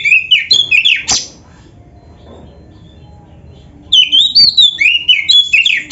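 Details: Oriental magpie-robin song used to train caged birds: a rapid series of bright, slurred whistles breaks off into nearly three seconds of quiet, then resumes with similar chattering, up-and-down whistled phrases.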